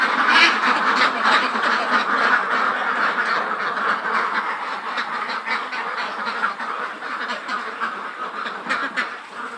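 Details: Flock of about 400 Khaki Campbell ducks, over 110 days old, kept at Muktagacha in Mymensingh; loud, rapid, overlapping quacking and honking-like calls, strongest at the start and gradually softening.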